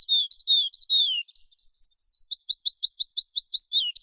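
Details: A forest skylark pours out a high, unbroken stream of quick chirps, slurred whistles and rapid trilled notes, with nothing else heard.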